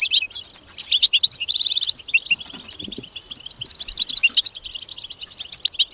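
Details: Wild European goldfinch giving a bright, fast jumble of liquid twitters, short rattled trills and chirps at high pitch, pausing briefly midway before resuming the chattering flow.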